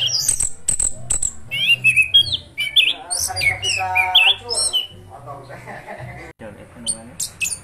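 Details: Continuous rolling song ('gacor ngeroll') of an orange-headed thrush. Sharp high chips open, then come looping whistled phrases and a buzzy harmonic passage midway, fading into softer notes near the end.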